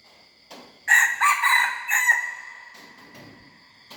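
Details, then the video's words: Juvenile red junglefowl hybrid trying out its crow: a rough, strained series of syllables, the last one trailing off, set against a continuous high tonal hum and faint clicks. "#ไก่ป่าลูกผสม #เสียงไก่ป่า #หัดขัน"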